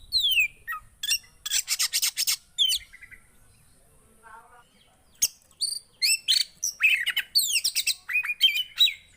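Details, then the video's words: Javan white-eye song, played to get quiet birds singing: rapid high chirps and descending sweeps in bursts, a pause near the middle with a faint low warble, then a quicker run of sharp twittering notes. "Ampuh Buat burung poci yg Macet!"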